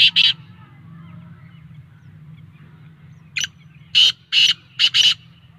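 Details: Black francolin, known locally as kala teetar, giving its excited call: two rough notes, a gap, then a short note and four loud grating notes in quick succession, with a low droning hum throughout.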